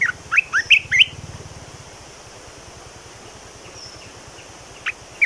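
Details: Bulbul singing a short burst of about six rising and falling whistled notes in the first second, then near silence with a faint low hum and a single note at the end.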